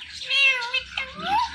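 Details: Talking pet parrot giving a drawn-out, meow-like harmonic call that falls away, followed by a short rising sweep, with a low hum underneath.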